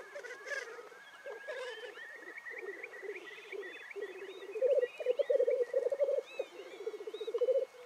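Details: Black grouse at a morning lek in the Cairngorms National Park, displaying and fighting; continuous low bubbling, cooing roll that swells louder toward the end, with thin whistled bird notes and hissing sneezes above.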